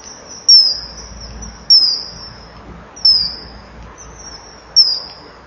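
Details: Male common kingfisher (Alcedo atthis) at a breeding-wall nest, 06:40 on 10 August 2015, calls loudly on arrival at the perch and in greeting as the female leaves, then enters the nest for the first changeover of the day: shrill, piercing whistles thinning into drawn-out high tones.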